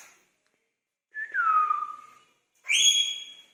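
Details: Indian ringneck parakeets, kept birds, exchanging greetings with each other: a falling slurred whistle, then a higher bright harmonic-rich whistled note after a short pause.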